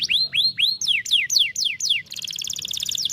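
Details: Canary song used to rouse a lazy canary into singing: a few loud rising then falling whistled sweeps about twice per second, followed by a dense, rapid high trill.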